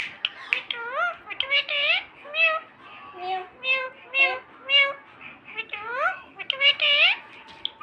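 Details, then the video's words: Pet parrot in Sindh, said to talk in full; voice-like phrases with rising and falling harmonic syllables in irregular bursts, some squawky, over about eight seconds. "mithu bete full talk parrot"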